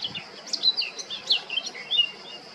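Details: Male Eurasian blackcap singing on Krk island at Baška, Croatia, on 20 July 2022: a fast, jumbled warble of high, sweet whistled notes and short slurs, tumbling up and down without pause over faint background hiss.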